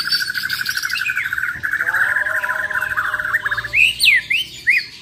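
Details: A Bornean White-rumped shama in a champion contest test sings a fast, steady rattling besetan trill lasting several seconds, then loud, sharp, swooping whistles like shots.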